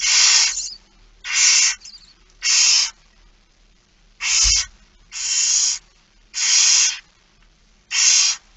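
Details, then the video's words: Barn owl begging at feeding time, 06:57, 13 September 2019, Friesland: a series of seven harsh, broadband hissing screeches, each about half a second long, repeated roughly every second, with a brief thump midway. "Kerkuil It Fryske Gea 2019 09 13 06 57 voedering"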